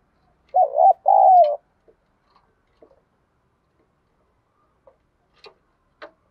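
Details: Spotted dove decoy bird singing in the Thổ voice: one deep two-syllable coo, a wobbling first note and then a steady drawn-out second. It is followed by scattered faint clicks and taps.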